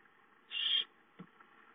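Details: A single short, hoarse hissing screech from owlets calling for food at home, 5-9-13, followed by a faint low knock.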